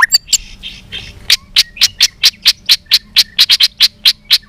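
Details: White-rumped shama during fighting song with tail-flicking: a run of dry, clicking chack notes repeated about twice a second after a few brief chirps.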